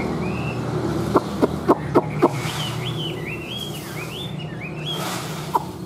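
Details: Tame caged Chinese hwamei singing a fast chain of looping whistled notes, rising and falling, after a series of sharp tapping clicks, with steady low hum behind.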